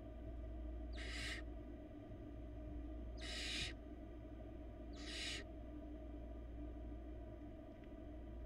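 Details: Florida barn owl nestling, old enough to eat small pieces of prey alone, calling with three rough hissing screeches a couple of seconds apart against constant low camera hum.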